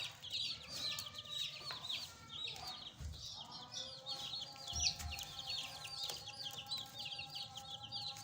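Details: Fresh chicken chicks kept as pets cheeping busily, many shrill high peeps overlapping throughout, with steady tonal humming lines and occasional low thumps in the background.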